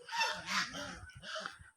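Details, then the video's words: Domestic geese on a Bangladeshi cattle farm give harsh, nasal honks, two loud bursts close together and a third shorter one after a pause, heard during a Sahiwal calf delivery. "এখানে রাজহাঁস আছে, এই জন্য রাজহাঁসের ডাক শুনতে পাচ্ছেন।"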